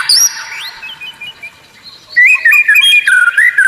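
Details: White-rumped shama in rare, unusual masteran song: a thin high whistle and soft warbling, then after a pause a loud series of rich, quick whistled notes sliding up and down.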